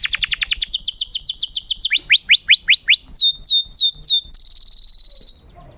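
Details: Canary song used as a master recording to prompt silent canaries to sing: fast rapid trills of falling whistles, then rising sweeps and a sustained high whistled tone near the end.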